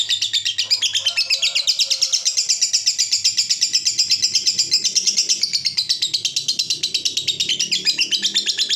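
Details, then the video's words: Lovebird of the fighter type giving a long ngekek song used as a tutor recording for young lovebirds: a dense, fast buzzy trill of chattering notes, about three per second, held high and unbroken throughout. "LOVEBIRD NGEKEK DURASI PANJANG, BISA UNTUK MASTERAN JUGA"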